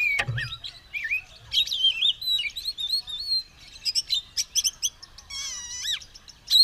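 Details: An Oriental magpie-robin singing steadily, ready to fight with its tail fanned: a stream of sweet whistles, rapid chattering clicks and twisting high notes ending in a rising whistle.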